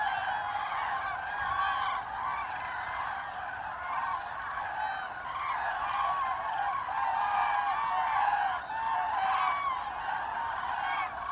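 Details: Common cranes migrating over Hesse, Germany, along the Lahn valley route on 25 October 2021. Over about eleven seconds a large flock keeps up dense overlapping trumpeting, with brief louder bugling bursts, especially toward the end.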